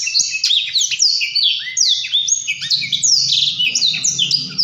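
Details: Blackthroat pouring out a busy high warble of quick downslurred whistles and rattling trills, with faint low background rumble.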